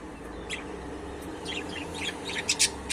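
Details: Budgerigar chirping: a string of short, high, scratchy chirps and twitters, sparse at first and then denser and louder near the end, over a steady low background hum.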